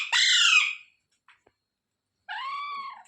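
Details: Rose-ringed parakeet giving two harsh, raspy squawks: a loud one lasting about seven-tenths of a second, then after a pause a second, slightly lower and steadier call of similar length, with a couple of faint clicks between.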